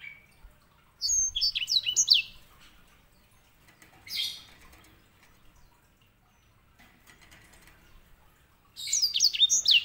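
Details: Grey singing finch (white-rumped seedeater), a master bird for training canaries: a fast phrase of high, slurred whistles, a lone soft note, a long pause, then another quick burst of falling whistled notes.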